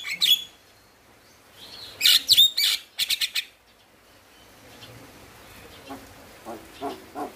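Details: Male Javan myna giving gacor song to prompt lazy mynas: harsh squeaky bursts and a rattle in the first three seconds, then faint soft notes.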